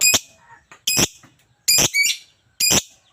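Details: Lovebird giving four loud, harsh, high screeches roughly every second, each short and rasping, with faint quieter chatter between them.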